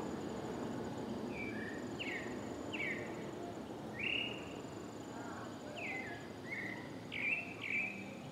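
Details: Pale-breasted thrush singing in a town street in Paramirim, Bahia, Brazil: short clear whistled phrases, some rising and some falling, given in loose sequence, over a steady background hiss and a faint high insect buzz.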